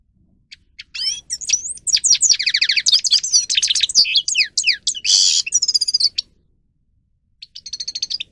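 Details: A grey-crowned goldfinch sings for training other birds, delivering a dense, fast run of tinkling chirps, slurred whistles and a harsh buzzy rattle, pausing briefly before a short tinkling trill.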